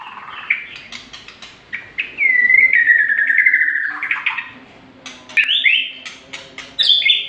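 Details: White-rumped shama song mixing sharp chips and clicks with a long, smooth whistled glide. It ends in quick bursts of high, ringing, slurred notes.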